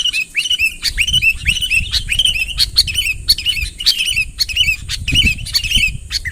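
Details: A sooty-headed bulbul calls lively to bring a rival close: looping, slurred notes that dip and rise, given roughly once a second between crisp ticks, with soft low background rustle.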